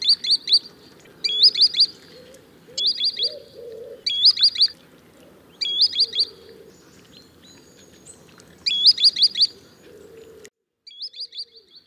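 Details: Green sandpiper calling in repeated bursts of sharp rising whistles, about three to five notes per burst every second or two, over a soft low background rumble.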